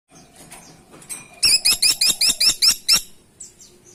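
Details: Freckle-breasted woodpecker lure sound: faint high chips, then eight loud, sharp, descending notes delivered quickly and evenly over about one and a half seconds, trailing off into soft squeaks.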